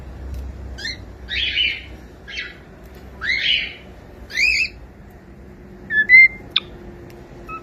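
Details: Domestic cockatiel chick singing to keep another bird company: a run of scratchy squawks and chatters, then a few sharp clipped chirps and thin whistles near the end.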